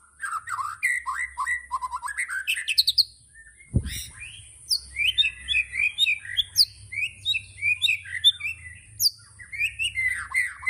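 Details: Murai batu, the white-rumped shama, singing tembakan: quick rising chattering trills, a brief pause with a single low thump, then a long sequence of loud, varied whistled and chipping notes repeated several per second.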